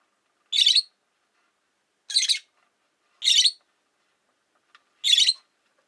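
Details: Four sharp, buzzy, high chirps from a caged Rosy-faced lovebird kept with four others beside a window, spaced about one to one and a half seconds apart, with quiet gaps between them.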